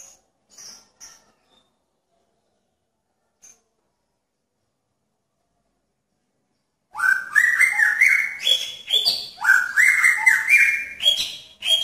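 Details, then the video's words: Caged male magpie-robin courting a female in a pairing cage: near silence with a few faint chirps, then an abrupt outburst of loud, rapid, varied whistled and rising phrases. "Murai Jantan Menarik Perhatian Murai Betina dalam Kandang Jodohan"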